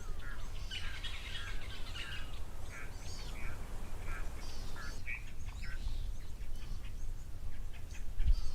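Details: Natal spurfowl make a racket of harsh, grating cackles in repeated noisy bursts at an African waterhole on 4 July 2024, with pearl-spotted owlet and grey go-away bird calling faintly and a steady low wind rumble.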